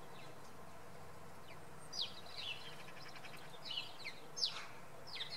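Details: Early-morning common redpoll at Oksywie, giving rapid high chattering trills mixed with short sharp upward and downward slurred notes, several bursts within a few seconds, against a constant low rumble.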